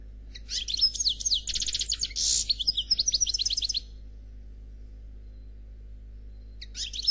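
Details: A European goldfinch described as black delivers a faultless song in the Khalwi style. Fast tinkling, chirpy phrases run for about three seconds, with a harsh buzzy rattle near the middle. A pause follows, then a short twittering fragment. The background is quiet.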